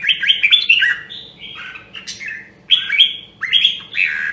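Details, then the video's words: Voice-training red-whiskered bulbul from Nam Đông, Huế: a fast rippling run of whistled notes, then a falling slurred phrase, followed by two more bright bursts after a short pause. "Luyện giọng Chào Mào Nam Đông Huế Hàng Hiếm Còn Sót Lại ! giọng cực chất"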